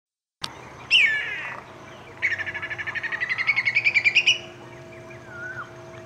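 Whistling kite giving a drawn-out descending whistle, then a fast run of about twenty staccato notes climbing in pitch and loudness; faint steady hum behind.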